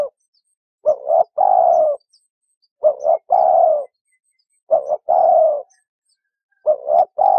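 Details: Dove calling: a short two-part coo followed by a longer, level, slightly falling coo, the phrase repeated about every two seconds, four times, in otherwise quiet surroundings.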